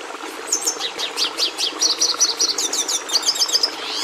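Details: Red siskin song: a rapid twittering run of high, sharp chirps and buzzy trilled notes, with quick repeated slurred phrases and a thin rattling close, delivered continuously over a faint low background hum.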